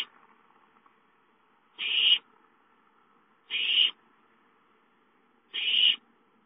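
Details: Owlets at home calling for food, recorded 5-9-13: three harsh, hissing screeches, each under half a second, repeated about every two seconds against a quiet background.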